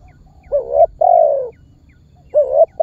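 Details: Spotted dove lure call used by bird trappers to set other birds calling: a paired coo, a brief rising note then a drawn-out descending hollow coo, followed by the start of another phrase over quiet background.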